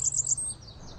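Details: Blackburnian Warbler singing during spring migration in a small residential wood lot of tall trees and shrubs in Rochester: a very high, thin run of notes that fades out near the top of its range, with a faint low hum underneath.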